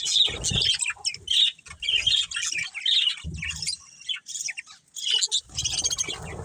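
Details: Budgerigar colony with a breeding pair, giving clipped chirps and short warbled phrases in bursts separated by short gaps, alongside low thumps and rustling.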